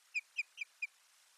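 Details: Osprey at a Finnish nest, 1 May 2020, during nest lining with soft material: four sharp, clear whistled notes spaced about a fifth of a second apart, piercing and evenly pitched, over faint background hiss.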